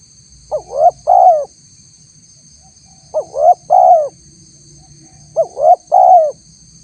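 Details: Spotted dove call used as a lure to draw responses from wild doves, described as a female calling to the male: three-note coos, two short rising notes then a longer one, repeated in three bouts about every two and a half seconds; steady high hiss.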